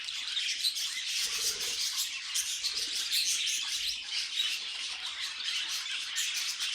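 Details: Several pet budgies warbling at once. A busy, unbroken mix of chirps, clicks and squeaky notes stays loud and steady throughout, with faint low knocks in the background.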